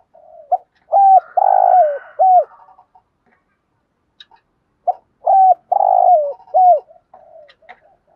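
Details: Stimulating thúc gù coo of a spotted dove, meant to urge other doves to call: the same phrase of short hooked notes, a long sustained coo and a closing arched note, given twice with about three seconds of silence between.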